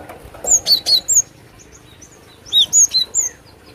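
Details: Cinereous tit singing, glatik batu lure recording; two phrases of four or five crisp high whistles, each note slurring downward, with a pause of about a second between phrases.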